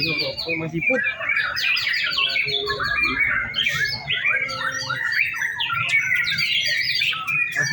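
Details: White-rumped shama singing during an afternoon contest simulation at routine practice on hanging poles: dense, fast, varied phrases of whistles, chatters and buzzy notes sweeping up and down, overlapping with other songbirds and faint voices.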